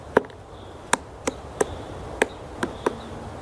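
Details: Female black woodpecker (Dryocopus martius) pecking pine roots for bark beetles in a forest park near houses, Yekaterinburg, Urals: seven sharp, dry knocks at uneven intervals over about three seconds, quiet background.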